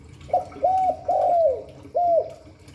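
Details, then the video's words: Spotted dove phrase in the Hạp Bổi voice: a brief opening coo, a level hooked note, a long coo that slides downward, then a last rounded coo, mellow and low-pitched. "Tiếng chim cu gáy Giọng Hạp Bổi 38. Đủ bài THúc GÁY GỌI - GÙ HAY Kích Bổi Nhanh Nổi, Cu đất gáy"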